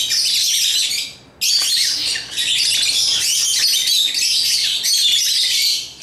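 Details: African lovebirds chirping as they play with toys, producing a loud, continuous wall of high, harsh twittering, interrupted by one clear silent break early on and a fade at the end.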